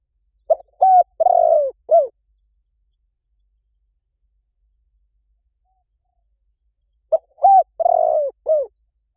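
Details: Spotted dove cooing, a recording used as a decoy to lure wild doves in quickly: two phrases of four to five low hoarse coos, a short note, a rising-falling coo, a long burry coo and a final drop. Each phrase is followed by a long silence.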